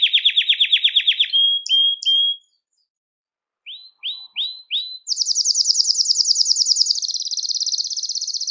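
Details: Belgian canary song played to attract and call canaries: rapid high trills in shifting tours, a pause of about a second, then a few downslurred notes before a fast buzzy roll on a clean background.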